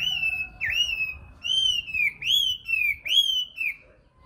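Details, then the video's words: Nightingale producing long, pure whistles that dip and glide downward, five or six notes in a row with short breaks, clear against a quiet background. "Best Video Nightingale Song , Sound Image Nightingale"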